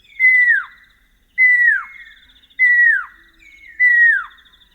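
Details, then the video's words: A pair of pearl-spotted owlets duetting at night in the African bush, Northern Tuli Game Reserve, Botswana: four loud, clear downslurred whistles at about 1.2-second intervals, overlapped by fainter, higher, rapid piping notes from the second bird. "Pearl-spotted Owlet Call - The sounds of a pair of Pearl-Spotted Owlets duetting."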